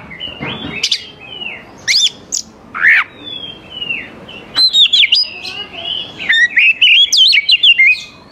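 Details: Oriental magpie-robin song played to draw young forest birds into singing back: scattered harsh notes and slurred whistles, then a run of quick varied whistled phrases toward the end.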